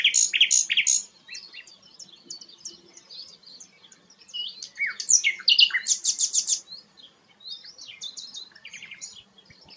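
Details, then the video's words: Sikatan londo flycatcher in lively song, a bird prized as a song model for shamas: bursts of sharp, high chirps and rapid buzzy note clusters separated by brief quieter pauses of scattered thin twitters. "burung sikatan londo gacor"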